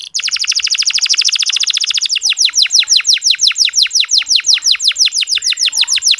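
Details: Soft ngeriwik canary song for encouraging male canaries to sing: a dense rapid trill of high notes for two seconds, shifting into a long steady run of sharp downswept chirps, about three per second, with nothing else heard.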